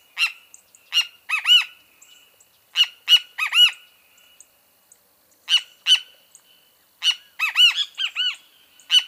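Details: Great kiskadee repeating its three-part phrase, sharp clipped notes followed by one or two harsh arched notes, given in four bursts spaced about two seconds apart. Faint high chirps sound in between.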